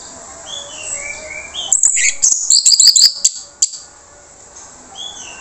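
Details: Harsh-voiced Orange-headed thrush singing a lure phrase meant to get quiet birds responding: a rapid, scratchy jumble of high chirps and buzzy notes lasting about two seconds, with soft sliding whistles of other birds before and after.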